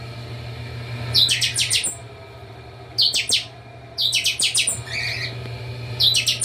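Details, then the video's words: Several chopi blackbirds in captivity at a breeding facility sing in a noisy chorus: short bright bursts of four or five quick liquid notes, spaced a second or two apart, over a constant low electrical hum. "Baderna com todos os chanchões do criatório"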